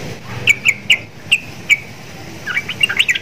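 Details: Short bright chirps repeated about twice a second from a caged sooty-headed bulbul kept next to Javan mynas and said to sound like them, ending in a faster cluster of busy notes.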